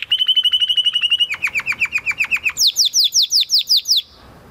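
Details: Training song of a Spanish Timbrado canary bred in 2020: a quick even trill, then a lower series of downslurred notes, then a higher, louder run of falling whistles repeated about three per second, ending cleanly.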